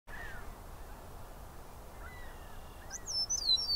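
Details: Eastern Meadowlark in Southern Ontario, Canada: clear, high, slurred whistles sliding downward near the end, after fainter whistles earlier, over a steady rushing background hiss.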